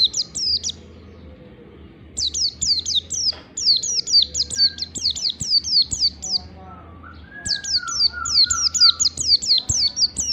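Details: Oriental white-eye performing standard long ngalas song to trigger singing: long strings of high, quick falling notes in several bursts, a lower soft whistled phrase midway, faint background hum.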